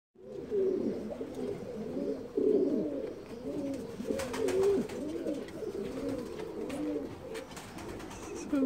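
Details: Saltanat pigeon, an ornamental breed once kept in Ottoman palaces, at a breeder's loft in Bursa, Turkey, likened to a parrot: low, throaty coos with looping, bubbling phrases repeated about every two seconds, overlapping from several birds in a small room.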